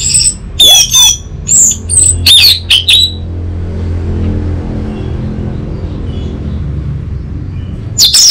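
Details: Orange-headed thrush song played as bait to coax another bird into singing back: three seconds of quick, varied whistled and buzzy notes, a long pause over low hum, then one brief final note.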